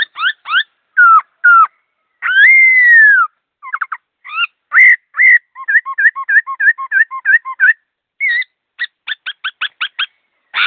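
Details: Laughingthrush in fast, clear-toned song: varied whistled slurs, a long descending whistle, then a rapid run of twinkling repeated notes, and finally a burst of sharp clipped notes. The background is silent.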